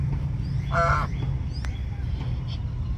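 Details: A swan goose preening at a public pond gives a single short, nasal honk, over a steady low rumble of traffic or wind.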